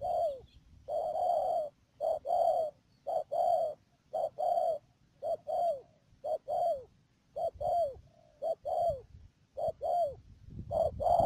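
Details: Cooing from a decoy spotted dove used to trap doves in Cà Mau's Đầm Dơi district, Mương Điều, 12 March 2019; paired mellow notes, the second bending downward, repeated in an even rhythm through the recording.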